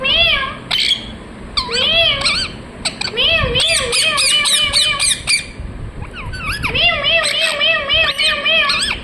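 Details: Ringneck parrot calling with loud, harmonic chirps and squawks in quick bursts, wavering up and down, repeated rapidly with short pauses; a faint low rumble underneath.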